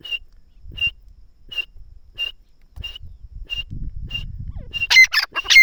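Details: Francolin (teetar) enjoying itself near plants: a steady series of brief high whistled notes, about one every 0.7 seconds, ending in louder harsh, buzzy notes with rustling underneath.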